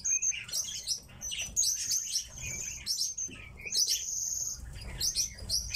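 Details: Kept tits giving high, thin chirps and short twittering notes in quick, irregular bursts, some notes sliding up or down, with soft background rustling.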